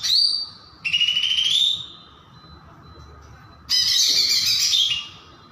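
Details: Greater green leafbird, one of twelve chatty cucak ijo in steady song: long, bright, strained trilled phrases, the first rising slightly, separated by quiet gaps, the last a harsh, dense burst.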